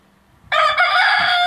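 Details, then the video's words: Rooster crowing: a sudden loud, brassy, drawn-out cry bursts in after a brief quiet moment and holds steady to the end, with faint low knocks beneath it. "Rooster Crowing"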